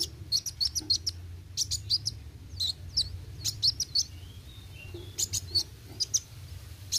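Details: Kolibri wuling, an olive-backed sunbird, singing actively in roll tembak style: high, thin chirps in quick clusters, some with brief downslurred whistles, spaced by short gaps; low background hum throughout.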